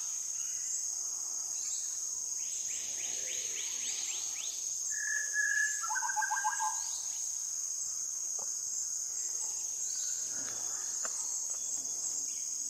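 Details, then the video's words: Andaman shama in South Andaman: a fast run of short sweeping notes, then a clear whistled note followed by a stepped descending series of whistles, over a steady high insect drone throughout. "Andaman Shama"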